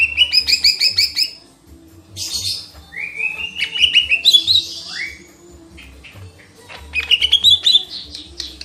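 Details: Lesser green leafbird singing: rapid runs of bright whistled notes, some rising and falling in loose sweeps, others trilled and repeated quickly, broken by short pauses and harsher rasping phrases.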